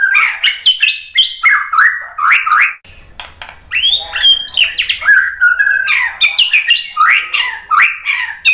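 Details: A White-rumped shama sings a rich, varied run of loud whistled phrases, swooping notes rising and falling in quick sequence with a brief pause midway; song used to provoke other shamas into answering.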